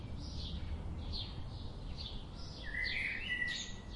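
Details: Birds outdoors: thin high chirps recurring at intervals, then a bright whistled phrase near the end that climbs in pitch, all over a soft rumbling background.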